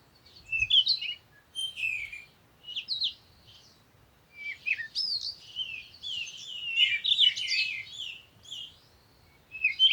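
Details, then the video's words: Chirping bird song: short twittering phrases with gaps, building into a long, continuous warbled run of high, fluttering notes. "Sound of the Birds"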